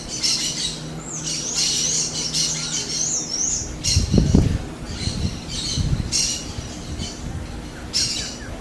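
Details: Wild smooth-billed ani giving repeated rasping high shrieks mixed with wavering whistled notes, several bursts spaced irregularly, with a brief low thumping noise midway and constant low background hum.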